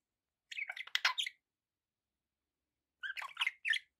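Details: Caged budgies giving two clusters of rapid, scratchy chirps and chatter, the first near the start and the second after a silent gap of about two seconds, with bright buzzy notes.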